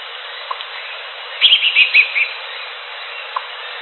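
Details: Greater green leafbird in the wild giving a brief phrase of sharp, high twittering notes in quick succession, with scattered soft clicks before and after.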